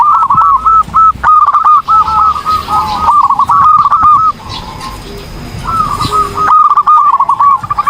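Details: Zebra dove in vigorous song, rapid rolling phrases of bouncy cooing notes in long runs, a quieter pause midway, then another fast burst.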